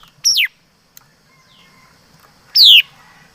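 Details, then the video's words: Laughingthrush (chim mi đất) giving two emphatic descending whistled notes about two seconds apart. A faint, short sliding note and a click sound in the pause. "Tiếng Chim Mi Đất Hót Chuẩn"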